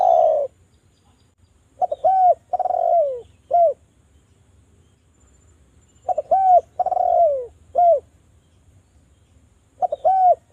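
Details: Spotted dove coos used as a lure for other doves: three-part phrases of short coo, long descending rolled coo and a clipped final coo, repeated about every four seconds, clean and quiet between.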